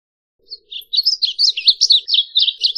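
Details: Varied bunting song: a rapid, jumbled warble of high, slurred chirps and short notes, running continuously for about two seconds after a brief lead-in note, with no other sounds.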